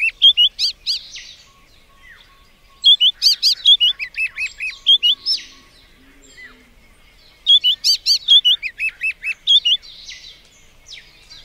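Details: Three phrases from a white-browed scrub robin, each a quick string of loud whistled and slurred notes with shrill high peaks, separated by several seconds of quieter background twittering.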